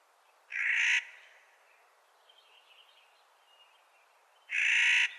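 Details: In spring, a Clark's nutcracker gives two loud, grating, drawn-out calls about four seconds apart, with faint softer bird chatter in the gap between them.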